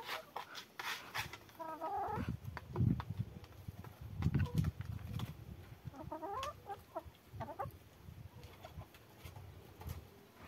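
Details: Hens out on a walk together with ducks, giving short nasal clucks in bursts around the second and sixth seconds over low thumping and rustling.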